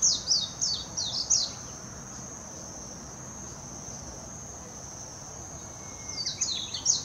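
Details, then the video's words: Warbling white-eye singing in Hashimoto, Wakayama Prefecture, Japan, on 26 June 2021, recorded with a Nikon Coolpix P900: fast, high twittering bursts of sliding notes at the start and end, with a quiet gap between, over a steady high-pitched drone. "メジロ さえずり 姿 鳴き声 warbling white-eye song"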